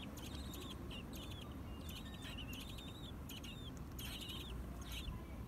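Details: Baby American robins at their nest shortly before fledging, snapping their bills: dense clusters of dry clicks with overlapping high, wavering chirps, and a steady low hum throughout.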